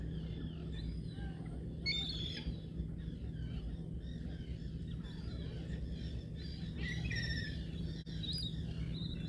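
A young gull gives thin, high, whistled peeping calls in short bursts, set over a steady low rumble of wind or engine noise.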